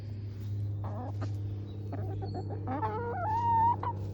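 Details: Morning calls from a backyard flock of foraging hens: scattered clucks, then a run of rising, nasal notes ending in a drawn-out, level squawk, all over a constant low hum.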